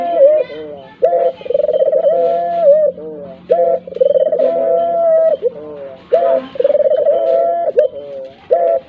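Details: Tekukur and puter doves in vigorous gacor calling, used as a lure so even silent birds start to call. Deep rolling coos with trilled, purring middles come in phrases roughly every two to three seconds, with a faint steady hum beneath.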